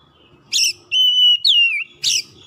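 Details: Oriental magpie-robin singing, meant to rouse a bird that has stopped singing: a rasping burst, then a long level whistle sliding into a slurred downward note, closed by another harsh rasp.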